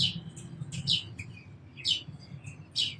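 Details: Sparrow chirping: four short, bright, high chirps spaced roughly a second apart over a low steady rumble.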